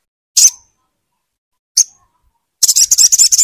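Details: Crimson sunbird, called sogon, sounding to coax a silent bird into song: two isolated sharp high chips, then a fast, dense high-pitched trill starting abruptly.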